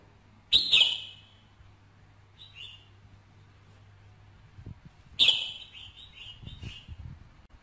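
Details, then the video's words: Male-stimulating red-whiskered bulbul song: a loud, sharp, ringing burst, a soft chirp, then another strong burst that runs into a chain of lighter chirped notes, with faint rustling. "KÍCH SUNG CHÀO MÀO TRỐNG"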